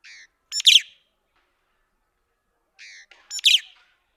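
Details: White-headed buffalo weaver, known in Somali as gilingil, giving two short bursts, each a thin whistled note and then a loud, harsh, squealing burst, about three seconds apart with silence between.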